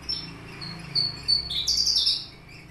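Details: Papuan Horsfield's bush lark (Mirafra javanica aliena), a caged bird kept three years with finch-type fills in its song, giving a short run of thin, high chirps that climb into a bright, sharp trill.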